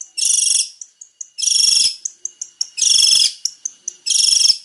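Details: Male long-tailed shrike alternating loud, grating buzzy phrases with strings of short high clicks and chips, in a steady repeating pattern.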